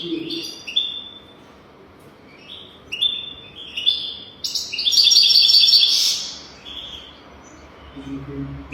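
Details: European goldfinch singing, used to teach young goldfinches their song: short high twittering phrases repeating about three times a second, rising to a loud, dense, buzzy trill in the middle before fading to quiet twitters.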